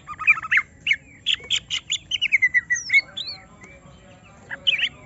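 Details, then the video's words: Greater green leafbird goaded into agitated singing beside another bird: chattering bursts give way to a descending series of clear whistled notes, then a brief final flourish. "Semua Cucak Ijo Langsung Emosi Bongkar Isian mendengar suara Cucak Ijo lagi di Trek Emosi ini"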